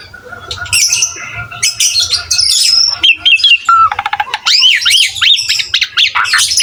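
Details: Asian pied starling (jalak suren) singing prolifically for a cage-bird training track: squeaky chatter, short whistled slurs, a fast buzzy rattle and rising and falling squeals.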